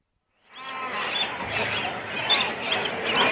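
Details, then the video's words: Cormorant colony with chicks and adults on the nest: a dense, continuous wash of harsh rasping calls, with thin, squeaky chick calls repeating over the top throughout. "Cormorant. CU Calls From Chicks And Adults On Nest. Colony Sounds."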